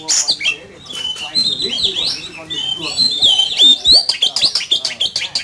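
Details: Oriental magpie-robin delivering a heated fighting song: a continuous run of varied whistles, trills and sharp slurred notes that grows louder and denser toward the end, with quiet talking behind.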